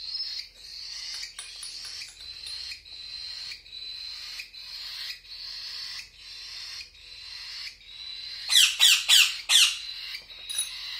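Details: Cockatiel chicks begging during hand feeding: rapid, raspy, hissing calls repeated about three times a second, ending in a burst of four sharp, descending squeaks.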